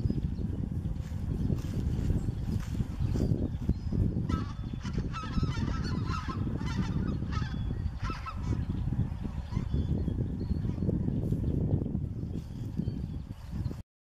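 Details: Vast flock of about 50,000 snow geese that return each year to Mallard Corner, Arkansas: a dense, continuous roar of overlapping honks with a strong low rumble, steady for about fourteen seconds.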